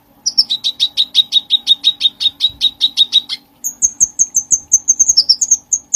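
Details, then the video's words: Bulbul in full song, used as a training model for songbirds: a fast even series of sharp piping notes, about five a second, then a switch to a higher, thinner run of quick repeated chips. "cucak cugkong gacor buat masteran segala jenis burung"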